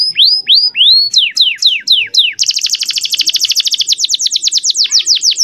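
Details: Male canary singing a tutor song used to train young canaries to sing. A few loud, clear downward-sweeping whistles open, followed by a fast, even, high trill of rapidly repeated notes that runs to the end.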